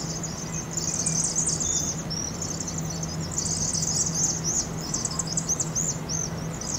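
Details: Vaux's swifts, 7,000 to 7,500 counted entering a chimney roost on an Oregon campus during fall migration, sped up 2.5 times; high twittering chips and short rising squeaks overlap densely, with a steady low hum.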